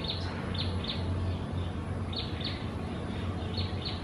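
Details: A wild pair of lesser whistling ducks, uncommon breeding residents, at Gardens by the Bay, Singapore: thin, high whistled notes in quick bursts of two or three, repeated several times, over a steady low rumble of background noise.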